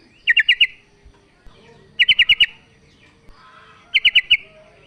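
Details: Three evenly spaced bursts, each four rapid, bright chirps, come from a female sooty-headed bulbul calling the male. A faint low background noise is present.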